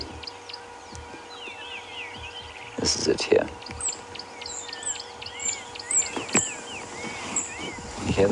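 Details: On a sunrise safari drive, 26 December 2015, an African Pygmy Kingfisher recording is played: thin, very high, squeaky notes in a quiet series, a very subtle call, with softer chirps from other birds and bursts of a man's voice.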